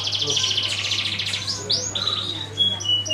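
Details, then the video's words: Canary song used as a lure to make other birds sing: rapid trills of repeated high notes, then sweeping whistled slurs and short chirps, over a steady low hum. "Suara kenari buat pancingan burung lain"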